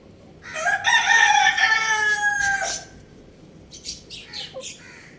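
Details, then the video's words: Little rooster playing on a roof gives one loud, strained crow of about two seconds, rich in harmonics, first rising and then held before dropping away, followed by a few soft scattered chirps over steady low background hum. "Beautiful Little Rooster Chirping Sounds"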